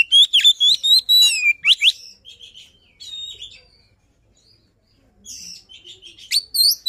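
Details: White-rumped shama luring song: loud, varied whistled phrases with sharp rising and falling slurs, a burst at the start, quieter scratchy notes mid-way, then loud whistles again at the end.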